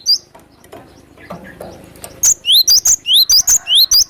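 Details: Wild glatik batu (cinereous tit) gives one opening high note, then after muffled background sounds breaks into a quick series of ringing two-note phrases, each ending in an upward whistled sweep.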